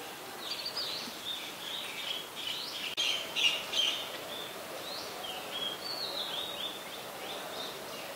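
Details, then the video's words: White-vented myna in Ubon Ratchathani, Thailand, 14 December 2020: a run of high, short chattering and squeaky notes, rapid and uneven, with a burst of louder overlapping calls in the middle, over steady outdoor background noise. "นกเอี้ยงหงอน หรือนกเอี้ยงดำ (White-vented Myna)"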